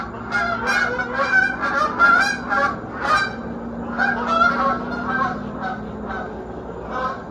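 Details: A flock of geese flying through the sky at sunrise over a lake in South Georgia, circling back. Dense overlapping nasal honks from many birds, several per second, rising and falling in loudness over steady low background hum.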